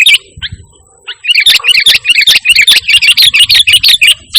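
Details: Sooty-headed bulbul used as a lure and master call for training pet birds. A dense run of quick chirpy warbled notes follows a few scattered chirps, with sharp clicking sounds and a faint steady high tone throughout.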